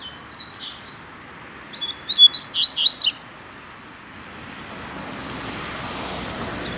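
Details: A Double-collared Seedeater sings in a song duel between two birds: two short bursts of high, quick, slurred notes, the second a run of about five bright chirps, followed by steady background hiss.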